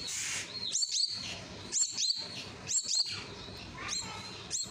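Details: Young common myna begging during hand-feeding, loud shrill down-curving squeals in pairs, roughly one burst per second, with a hiss at the start and soft room hum throughout.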